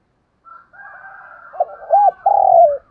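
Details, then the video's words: Spotted dove used as a decoy to call in wild doves, giving low cooing notes around the middle of its range, a short run of soft coos ending in a long drawn-out coo, with faint higher whistling birds behind. "tiếng chim cu gáy mồi chuẩn cực hay gáy gọi bổi nghe về cội liền"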